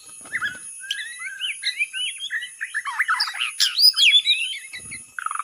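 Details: Singing white-rumped shama used as a lure, a busy stream of varied slurred whistles and quick swooping notes climbing higher, ending in a short fast buzzy trill.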